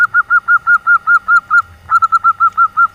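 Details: female call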